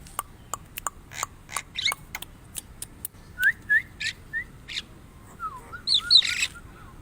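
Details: Javan myna song opening with a string of dry rasping clicks, then looping rising whistles, a burst of harsh noise, and a closing series of soft falling slurred whistles.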